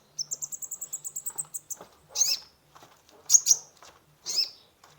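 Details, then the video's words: Lively sunbird (kolibri ninja) song as a lure for a stressed caged bird: a rapid run of about a dozen thin, evenly spaced high ticks, then three loud shrill chirps, one doubled. "Terapi pancingan konin gacor full isian mengatasi burung stress !!"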